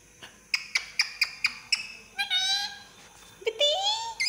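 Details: Pet parrot calling: a run of short, sharp repeated notes about every quarter second, then longer wavering whistled and warbled phrases.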